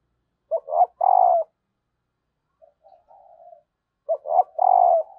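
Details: Female spotted dove calling so that males will coo: two low three-part phrases, each made of two short notes and a long even hoot, with soft murmured notes between them.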